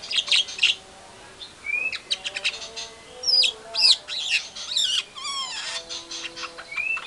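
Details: White-rumped shama lure song intended to make other shamas respond angrily: short rising whistles, sharp squeaky notes and harsh chatter in irregular bursts.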